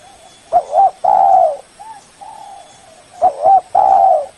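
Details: Spotted dove lure call aimed at a rival: a quick wavering double note, then a sustained throaty coo, quieter trailing coos, and the same sequence repeated once more.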